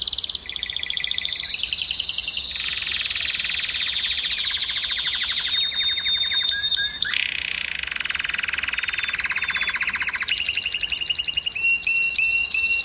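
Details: ['Breeding canary song to excite females, an unbroken chain of rapid trills and rolls changing pitch every few seconds, with a clear whistled note midway and a high trill at the end.']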